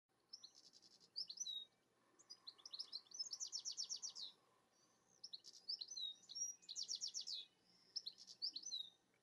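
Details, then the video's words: A European goldfinch (Carduelis carduelis) sings from the top of a rowan tree: a bright, tinkling jumble of twitters, fast buzzy trills and liquid notes in three bursts with short pauses. "Goldfinch Singing"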